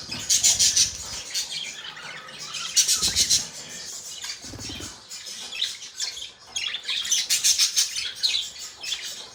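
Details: Pet budgerigars chirping: dense, overlapping high twittering chatter in several bursts, mixed with fluttering wingbeats and low rustling noise.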